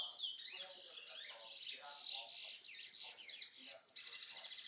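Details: Towa towa song, called a bringle bird: a dense, continuous stream of high, rapid warbled and trilled notes with no breaks, plus faint lower sounds.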